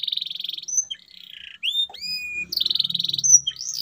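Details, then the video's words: Canary song used to stimulate silent canaries to sing again: high trills and rising whistled sweeps, with a low buzzy sound underneath in the second half. "CUITAN KENARI 100% GACOR PERANGSANG KENARI BISU AGAR KEMBALI GACOR"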